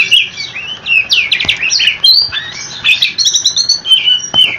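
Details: Oriental magpie-robin in full 'ngerol' rolling song to draw answers from other magpie-robins: varied high whistles, a rapid burst of descending trilled notes near the start, then sweeping whistled slurs.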